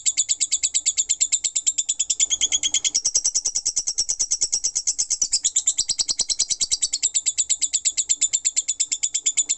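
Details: Continuous high chatter from a lovebird in ngekek style, made of evenly pulsed squeaky notes at roughly three per second, rising a little in pitch around the middle and flowing on without a gap.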